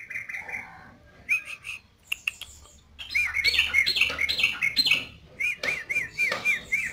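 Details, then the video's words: Energetic yellow-vented bulbul song: wavering warbled notes, then a loud run of bubbly, jumbled phrases, followed by a series of quick looping whistled notes repeated several times. "Suara Burung Trucuk Gacor"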